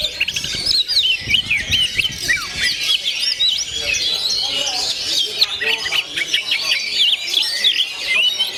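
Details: Oriental magpie-robin giving its gondo mayit song, a thick jumble of curling whistles, squeaks and chattering notes, with a brief low murmur underneath early on.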